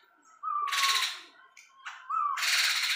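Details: Sumatran laughingthrush, tame and very vocal, gives two short whistled slurs, each breaking into a loud, harsh, noisy burst, with a brief quieter note between them.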